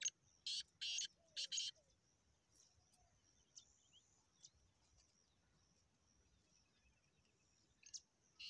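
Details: Black francolin in a calling competition, Punjab, Pakistan, 9 February 2023: a quick series of four harsh, grating notes opens, followed by scattered faint chirps of other birds and two more rasping notes at the end.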